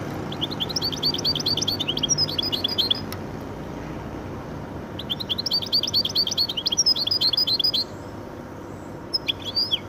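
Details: A goldfinch × canary cross sings two long bursts of rapid, bright chirping, each lasting nearly three seconds with a gap between, then a brief final flourish of high notes.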